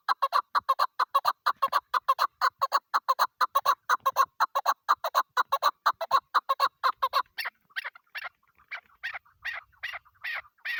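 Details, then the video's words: Female chukar partridge used in hunting on the first day of the season, giving a long run of fast, evenly spaced clucking notes, several per second, then shifting to sharper, higher, more widely spaced calls. "shikari chakor ki video kekik sesi"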